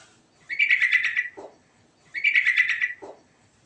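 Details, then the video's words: Sooty-headed bulbul in ngerol style repeating the same rough, rapidly pulsed chattering phrase twice, about 1.5 seconds apart, each closing with a short low, gravelly note. "Suara Burung Trucukan Ngerol"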